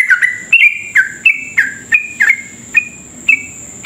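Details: Long, rapid sooty-headed bulbul song used as a lure for other bulbuls: quick series of clear two-step whistled notes, each sliding down in pitch, about three per second, with a steady high electronic whine underneath.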